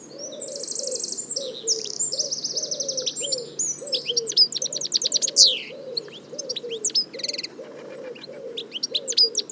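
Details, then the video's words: Wild European goldfinch song: rapid liquid twittering mixed with buzzy, rattling trills and sharp rising chirps, almost continuous. A low, regularly repeated cooing, like a dove, runs steadily beneath it. "صوت الحسون حسون ذهبي عروس التركمان طقطق شوك الحسون صافي من الطبيعة European goldfinch sound"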